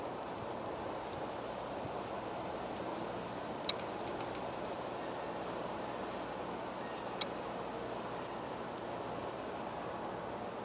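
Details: Spotted flycatcher at its nest in the Moscow Region, Russia, feeding young and casting a pellet; very high, thin, short chirps repeat about every half second to a second, with a few faint clicks over a steady low background hum.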